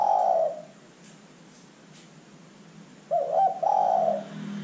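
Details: Zebra dove call used as a lure; the tail of one coo phrase at the start, then after a pause a fresh phrase of short wavering notes running into a long steady coo.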